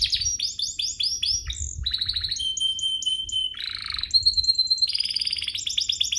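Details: Canary song for rousing other canaries: repeated swooping notes, a buzzy rolled tour, a long flat pure whistle, then a nasal rattle and high ringing trills.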